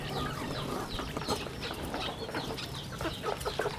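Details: Chicks on a rural chicken farm: a busy, fairly quiet chorus of short, high, downward-sliding peeps, some soft lower clucks mixed in, over a faint steady hum.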